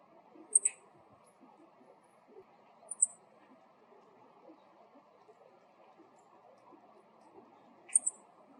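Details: Ground call of a male meadow bunting: three high, clipped double notes, chi-chit, spaced a few seconds apart, with long quiet gaps over faint low background rumble.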